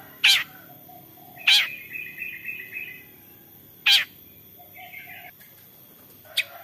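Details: Long-tailed shrike song used as a lure to prompt other shrikes to sing: sharp high notes at roughly 0.3, 1.5, 4 and 6.5 seconds, some followed by a short buzzy tail, with quiet gaps between.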